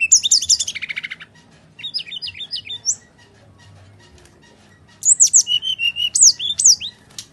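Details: Brown-chested jungle flycatcher delivering full fighting song to lure quiet birds: dense high trilled phrase, a pause, a run of clipped rising notes, then a sharp series of slurred whistles.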